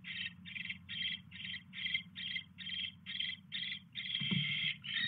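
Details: Owl at the nest, evening mouse delivery, January 29, 2016; string of scratchy hissing bursts about twice a second, one longer drawn-out hiss near the end, low humming underneath.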